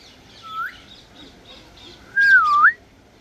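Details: African grey parrot whistling: a short steady tone rising at its end, then after a pause a louder longer whistle that holds, dips downward, and swoops back up, over faint background noise.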